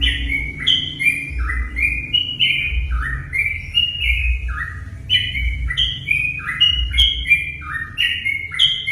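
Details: Sooty-headed bulbul singing to spur other bulbuls into song, with a steady stream of clear whistled notes that step and slide downward in rapid, irregular runs. A constant low droning hum sits beneath.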